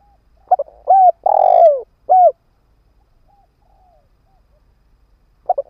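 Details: Decoy spotted dove in a cage set on the ground, calling to provoke wild doves: one full phrase of short coo, long falling coo and closing coo, with soft trailing notes, then the next phrase starting.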